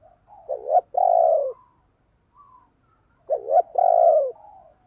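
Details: A decoy spotted dove, used to stir others into cooing, repeats its low hollow coo twice, each a short quavering note and a longer falling one, about three seconds apart in a quiet setting.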